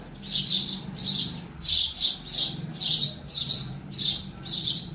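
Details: In a house, a sparrow chirps insistently, sometimes in doubled notes, in a brisk series of bright, high chirps, with a soft hum behind.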